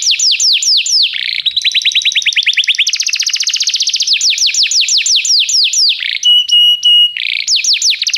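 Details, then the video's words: Canary song meant to teach a young canary: series of falling whistles, fast rolling trills at different pitches, a short block of long level whistles, then more descending notes. "canário cantando - professor para o treinamento do seu filho canário"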